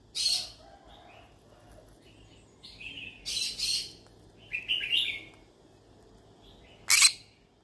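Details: Yellow-sided conure parrot chattering while looking for friends to talk to: harsh squawks interleaved with short whistled and warbled notes, about five bursts spread over several seconds, ending with one sharp loud shriek.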